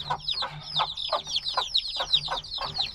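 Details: Tiny black chicks hatched a few days earlier cheep insistently: high, sliding peeps overlapping, with pronounced notes spaced about every third of a second.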